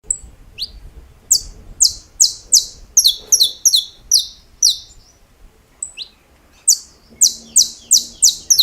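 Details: Saffron finch, a champion of the snapping 'estalos' song style, delivering bursts of sharp, high, clipped notes in quick runs of about three per second, pausing midway, then resuming with a fresh rapid series; faint low rumble beneath.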